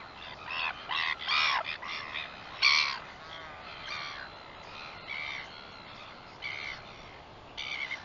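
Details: Northern royal albatross, 21 September 2021: a busy run of short, harsh, harmonic calls, close together at first and then spaced out, the loudest near the middle, over faint background hiss.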